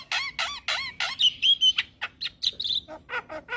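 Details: Black-winged starling singing steadily with nodding display: repeated wavering whistled notes, a sustained high whistle, then scattered sharp chips and rising squeals in quick succession.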